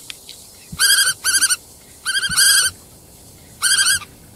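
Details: Black-tailed godwit calling loudly in rapid trilled bursts, each a run of four to six wavering nasal notes, three bursts over four seconds, with a few soft knocks.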